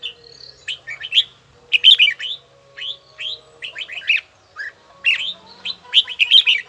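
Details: A red-whiskered bulbul trains its voice with a bell-like tone at a steady beat, giving repeated phrases of sharp whistled notes that rise and fall in quick bursts, with brief gaps between them.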